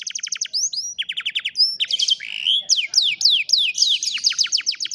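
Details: Canary singing, recorded by cellphone for lazy-canary training; dense rapid trills of repeated whistled notes, a brief slurred glide, then fast descending sweeps and closing trills, background clean.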